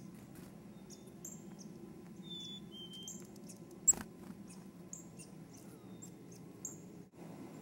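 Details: Chickadees near Fergus, Ontario, in early 2008 give thin, very high chips and a couple of short whistled notes, scattered and irregular, over a steady low rumble and one sharp knock.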